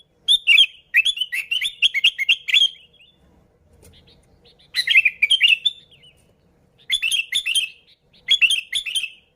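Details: Sooty-headed bulbul song, used as a lure to attract bulbuls: bubbly, chattering phrases of quick high notes, delivered in bursts of two to three seconds separated by short pauses.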